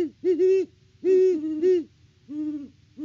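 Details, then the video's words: Deep, drawn-out hoots from Great horned owls at a farm nest tree in Peabody, Kansas, recorded by live camera on 17 October 2023, several notes linked into long phrases with short gaps. "HootFest @ the Nest!"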